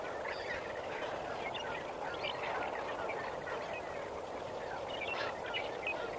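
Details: Lesser flamingos in a large gathering at Kamfers Dam at sunrise, 18 May 2024, keep up a constant babble of overlapping nasal calls, with scattered louder honks rising above the murmur.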